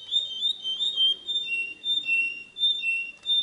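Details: Canary singing a training song for young birds: smooth, mellow whistled notes sliding between two pitches in slow, swelling phrases.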